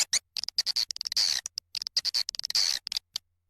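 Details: Swiftlet lure recording of the style called SP Sanro, played to attract swiftlets: bursts of high, sharp chirps and short twittering trills, separated by brief silences, with a faint low hum beneath.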